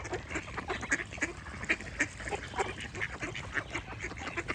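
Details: Ducks quacking, with birds chirping alongside: short, harsh, nasal quacks come in uneven bursts over a steady background hiss, while thin high chirps from small birds sound between them.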